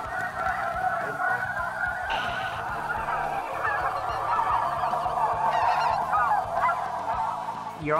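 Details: A dense chorus of snow geese, a large flock lifting off a lake, gives a constant wash of high, nasal honks and yelps, with a man's voice faintly underneath.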